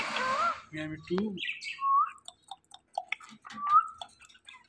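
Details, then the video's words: Talking pet parrot mimicking sounds: a few squeaky whistled notes and warbled rising syllables mixed with a person speaking Hindi, praising the bird, who also says meow repeatedly nearby. "The Best Talking Parrot"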